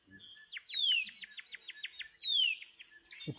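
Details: An adult Horsfield's Bronze Cuckoo giving high, thin whistles: two long down-slurred notes with quick falling pips between them, repeated. A brief low thump ends it.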